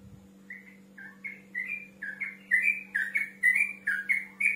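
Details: Male yellow-vented bulbul singing to call a rival: a rapid series of bubbly, slurred whistled notes, about one per half second, growing louder and more insistent across the phrase, over a steady low electrical hum.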